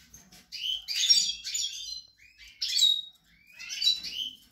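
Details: Pied European goldfinch singing on 28 March 2020 near a nest with four young chicks: three bursts of bright, tinkling twitters with short buzzy notes, each about a second long, separated by brief pauses. The background is quiet.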